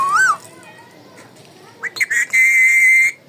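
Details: Pet talking parrot calling indoors: a short arching whistle, then a pause, brief chirps, and a long, steady, high whistled note.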